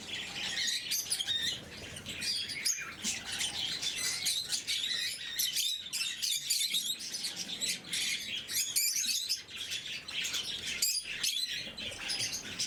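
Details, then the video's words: Blue-mutation lovebirds kept as pets during morning feeding: dense, continuous high chirping and squeaky chatter from several birds, overlapping sharp tweets with no pause, a few brief quieter gaps. "Попуги неразлучники, утреннее кормление. Голубая мутация"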